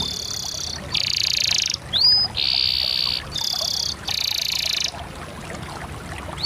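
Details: Canary singing long, dense buzzy rolls in blocks of about a second, alternating higher and lower pitches, with brief rising whistled slurs between them.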